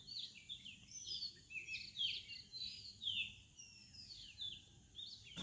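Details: Village birds singing in the morning: a busy chorus of high, quick chirps and twittering, with overlapping rapid phrases, some sliding or falling, from several birds at once and only faint low background noise.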